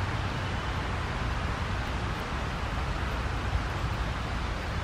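Steady low rumble of traffic or wind noise, with no animal calls heard.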